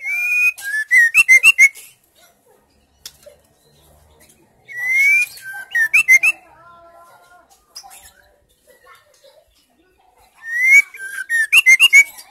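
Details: White-rumped shama female in song meant to prompt silent males to sing; three loud phrases, each a rising whistle followed by a rapid run of sharp, bubbling notes, separated by pauses of about three seconds with soft notes between.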